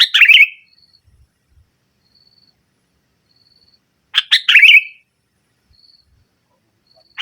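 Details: Two short bursts of sooty-headed bulbul 'nggaruda' song, used to press rivals and rouse silent birds: dense harsh chatter sliding into a buzzy slurred ending, with long pauses carrying only a faint thin whistle.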